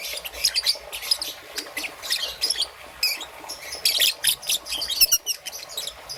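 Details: A young peach-faced lovebird, green and yellow plumage, chirps in the morning with thin high squeaks and scratchy twitters, clustered in quick bursts and a fast trill near the end.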